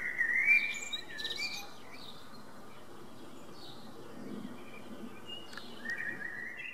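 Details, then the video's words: A common blackbird (Turdus merula) sings short, mellow fluted phrases with a long pause between them, over a soft hiss of background noise. "Zpívající kos - Singing Blackbird"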